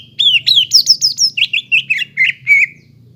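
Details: Greater green leafbird song for stimulating a silent bird: a descending series of loud sweeping, slurred whistles delivered quickly, over a faint low hum.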